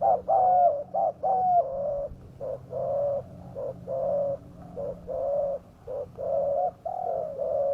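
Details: Spotted dove calls used as a lure for wild doves: low, mellow repeated coos in steady phrases, a few rising notes at the start, then even hooting coos almost a second apart.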